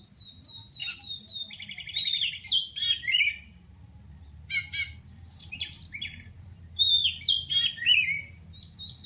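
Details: Oriental magpie-robin from Pidie, Aceh, looking for an opponent: varied high song of quick chirps, buzzy trilled runs and swooping whistles in bursts, brief quiet gap midway, steady low background hum.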